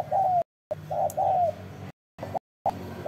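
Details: Spotted dove uttering a drawn-out falling croon, then a short coo and a second long croon, mellow and mid-pitched, with clipped notes between sudden silences.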